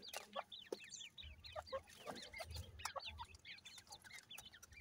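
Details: Feeding grey francolin family, mother with chicks: overlapping high, quick peeps rising and falling in pitch, a busy chorus over low rumbling background noise.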